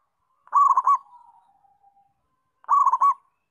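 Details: Local zebra dove singing: a rapid, stuttering phrase of rolling coos trails off into a long, quiet, slightly falling note. A second, identical loud phrase follows about two seconds later.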